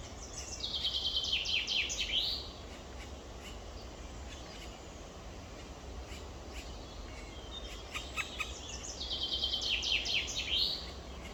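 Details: Nest of two black woodpecker chicks, evening of 23 May 2023: two separate bursts of quick, high, rasping repeated calls, one at the start and one near the end, with a quiet stretch between.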